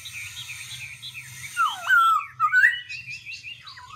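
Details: Black-throated laughingthrush singing in a continuously changing voice: after a quiet start, rich whistled phrases swoop downward, then slide up in slurred rising notes, followed by quick varied warbles, over a low steady background hum.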